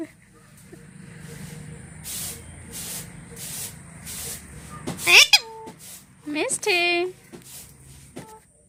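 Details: Household talking parrot, after several seconds of soft hissy background noise, gives two sharp harmonic squawks with steep downward and upward slides, each about half a second long.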